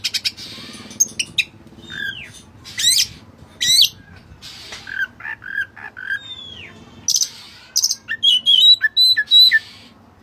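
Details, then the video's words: Kacer (Oriental magpie-robin, white-breasted form) singing hard with cililin-style fill-in phrases for bird training: varied downslurred whistles, sharp upward notes and a bright warbled trill near the close. "Burung Kacer Gacor Isian Cililin"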